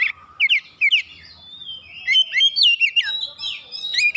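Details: Oriental magpie-robin, a kept songbird warmed up into full, energetic song with open beak: varied whistled and slurred notes around mid-high pitch, short bursts with quick rising and falling phrases, quiet pauses between.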